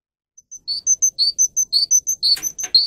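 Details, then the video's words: Russian singing canary used as a tutor for young birds: a regular series of short high chips alternating with fuller lower notes, with a burst of noise near the end. "Canary how to sing listen and teach young Canary for Canary Education"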